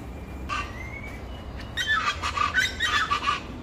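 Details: Chachalacas calling: a thin rising whistle early on, then a run of loud, harsh, rhythmic squawks in rapid chorus.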